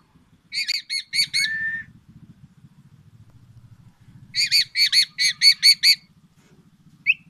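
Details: Captive black-naped oriole singing a song filled with oriental magpie-robin imitations, said to challenge other orioles: harsh, rasping, stacked notes in rapid runs of four to seven, separated by pauses, over a faint low buzzing hum.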